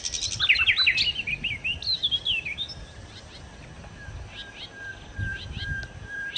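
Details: Nightingale (sikatan londo) opens with a lively tangle of quick chirps and slurred whistles, then fades into sparse faint notes over a steady low hum.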